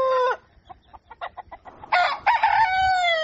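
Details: Rooster at dawn ending one crow, then a series of quick soft clucks, then another loud crow with a choppy start and a long, level, ringing tail.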